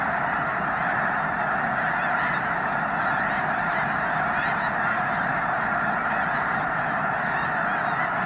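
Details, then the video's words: Thousands of snow geese at Loess Bluff National Wildlife Refuge during peak migration, 3 March 2021 (over 360,000 counted that day), call at once in a steady roar of high, nasal, barking honks that never pauses. "Snow Goose Migration"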